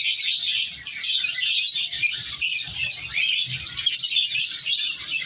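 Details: Dense twittering and squeaky chirps from a crowded colony of captive African color lovebirds, many birds calling together, with soft background thuds.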